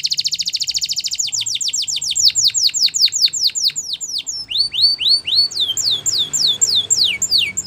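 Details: Spanish Timbrado canary song for training canaries: a rapid ringing trill flows into a long series of descending whistled strokes, slowing into wide swooping notes, then quickening again.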